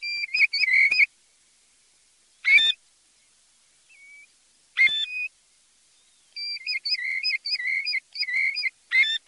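European golden plover giving clear, level whistled notes, first in short bursts with long pauses, then in a quicker run of repeated whistles near the end.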